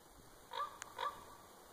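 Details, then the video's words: Common raven perched unseen in a tree at Winlock, Washington, USA, giving two brief, throaty croaks about half a second apart, separated by a sharp click, over a faint steady hiss. "Raven Call 2"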